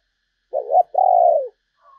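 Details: Spotted dove kept as a lure for wild doves, uttering a brief low double coo followed by one long, slightly burred coo that drops at the end; a faint higher sound follows.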